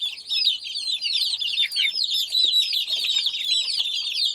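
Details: Chicken chicks peeping in a dense, overlapping chorus of high, short, downslurred cheeps, many birds calling at once with no pauses throughout.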